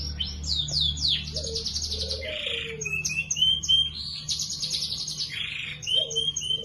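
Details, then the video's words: Canary in energetic song, described as gacor with luxurious cengkok and sharp cuit cuit phrases, used as a master for training other birds: rapid high trills, buzzy rolled notes and falling whistles, with a low steady hum beneath. "Suara burung kenari GACOR Cuit cuit nembak ‼️ CENGKOK MEWAH cocok untuk masteran"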